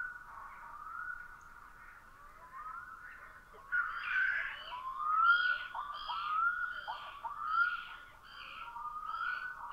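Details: On Puula island, Finland, after sunset on 22 May 2020, a Black-throated loon gives loud, wailing, upward-slurring notes about once a second, building into a rhythmic, yodel-like series.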